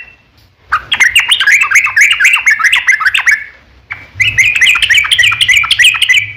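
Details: Yellow-vented bulbul singing a long rippling 'ropel panjang' phrase, meant to lure other birds into answering. Fast bubbly chatter of liquid, dipping notes runs for about three seconds, stops, then restarts just as densely.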